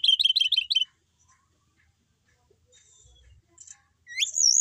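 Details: Brown-chested jungle flycatcher kept as a settled pet, singing persistently. A fast burst of six or seven wavering warbled notes, a long quiet gap with a faint buzz, then a rising whistle that turns into a high wavering trill.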